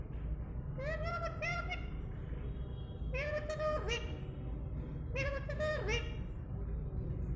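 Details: Pet parrot talking in imitation of human speech, such as calling out its own name. Three short voiced phrases, each a pair of nasal syllables, come about two seconds apart over a steady low hum.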